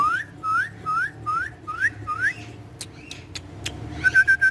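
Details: Pet ringneck green parrot on a wall giving clear rising whistles, repeated six times about every half second, then brief clicks and a short burst of level whistled notes, with faint background hum.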